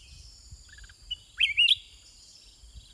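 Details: Caged sooty-headed bulbul singing back and forth at length with wild birds: one short, bright, warbling phrase of quick slurred notes near mid-clip, over a steady high hiss and a faint low rumble.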